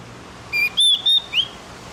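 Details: Javan grey-throated white-eye singing in the morning, used as a training recording for captive birds: a brief steady whistle, two loud sustained high whistles, then a quick rising note.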